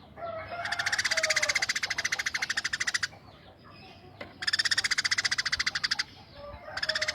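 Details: Tame Eurasian tree sparrow producing coarse 'tembakan kasar' volleys: long trains of rapid, evenly pulsed harsh chirps, about three seconds, then a second volley after a brief pause.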